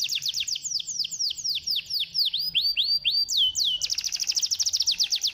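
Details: Canary song for prompting a lazy canary to sing: a series of swooping downslurred whistles slowing into drawn-out notes, then breaking into a fast bright trill.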